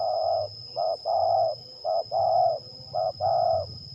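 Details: Zebra dove (terkukur) lure bird from Liwa, West Lampung, Indonesia, in a singing contest test; repeated phrases of a short coo followed by a long rolling purring coo, evenly spaced, about one per second, over low background hum.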